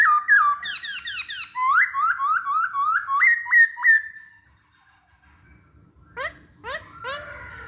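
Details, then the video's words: Lure song of a masked laughingthrush, meant to set other birds singing: a fast series of rising, upswept whistled notes repeated about three times a second, fading out, followed by a few sharp high slurred notes. "Pancingan Poksay Hongkong"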